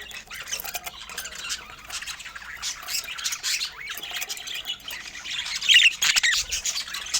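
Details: Budgerigars in natural Scandinavian light, softer background chatter of many overlapping chirps, with a few clearer rising whistled notes and a louder squawky burst near the end.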